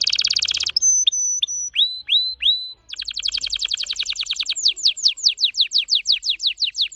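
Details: Red Factor Canary, vibrant orange-red, in very fast song: a buzzy rattling trill, then long level whistles and upslurred notes, a rapid dense trill, and finally quick descending sweeps repeated several times a second.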